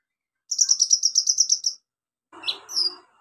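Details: Lure song of an olive-backed sunbird for reviving quiet birds: a steady, rapid trill of about a dozen high bright notes, then a softer, lower squeaky flourish.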